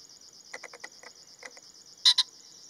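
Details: Male common pheasant giving a loud double burst, two harsh clipped notes in quick succession, preceded by a run of softer rapid ticks, with a continuous high insect buzz behind.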